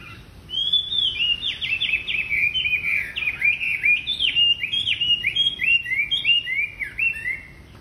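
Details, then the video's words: Wambi singing continuously as a lure for training other wambi birds: a fast, chattering run of sharp down-slurred and up-slurred whistled notes packed closely together, steady for about seven seconds with little pause. "Burung Wambi Gacor Cocok Buat Pancingan Wambi Bahan"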